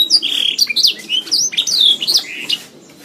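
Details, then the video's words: Canary song from a master recording used to train songbirds: fast run of whistled downslurs and trilled phrases, high and bright, trailing into quiet at the end. "Masteran Suara Burung Kenari"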